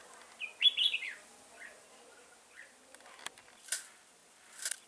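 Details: Red-whiskered bulbul used as a decoy during trapping, singing a short burst of warbled, slightly buzzy notes, then quieter scattered chirps and a few sharp clicks and wing-like rustles.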